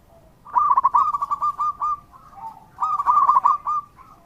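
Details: Active local zebra dove song played as a lure to prompt replies: two phrases of fast, bubbling coo notes, each trailing off into softer, lower sustained tones between them.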